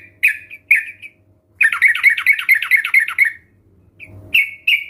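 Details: Sooty-headed bulbul song meant to stimulate other birds to start singing: two separate chirpy notes, then a fast chattering run of bubbly phrases, a short gap, and two final warbled notes.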